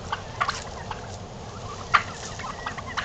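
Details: Strutting home-kept turkeys give soft, rough notes followed by one loud, abrupt burst in the middle, then quieter scattered calls over steady low noise.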